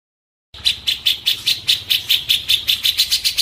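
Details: Cililin song for training white-rumped shamas: after a moment of silence, bright, sharp high notes start and repeat steadily, roughly two and a half per second.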